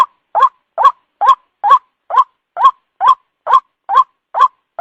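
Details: Lure call of a white-breasted waterhen for night use: a steady, regular series of about eleven nasal, rising 'kwak' notes, roughly two each second, clear and loud against silence.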